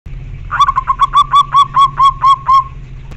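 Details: Zebra dove of the local wild type, song played as therapy to stir reluctant doves into singing: a long run of about ten short, even cooing notes at steady pace over two seconds, with a low hum underneath.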